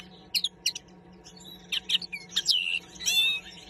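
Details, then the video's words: A common linnet (Carduelis cannabina) sings a quick, varied run of twittering notes: short chirps, buzzy trills and a few clear whistles, mostly high-pitched, with a faint low hum behind. "linnet singing"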